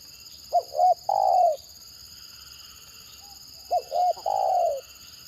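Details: Two phrases of a trapped spotted dove's stuttering (gagap) call, each two short broken coos followed by one long, smooth descending coo, separated by a quiet gap, over a faint high-pitched whine.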